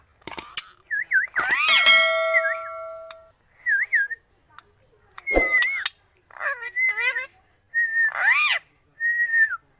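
An Alexandrine parakeet mimics human speech in short, rasping word-like bursts between wavering whistled notes. A ringing metallic clang is heard near the start.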